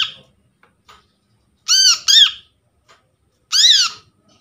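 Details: Trapped brown-throated sunbird calling, used as a lure for attracting birds and prompting silent sunbirds: a quick pair of harsh, harmonic, downward-curving notes, then a single similar note under two seconds later.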